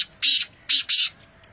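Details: Black francolin (kala teeter) at Nawabshah, Pakistan, giving a high-pitched, harsh grating call: one rasping note followed after a pause by two close-set rasping notes, against a quiet background.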